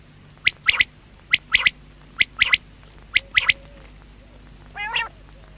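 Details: Common quail (batair) calling: sharp, high three-note bursts, the first note set slightly apart, repeated four times at roughly one-second intervals, then a short nasal, harmonic-rich call near the end over a faint low hum.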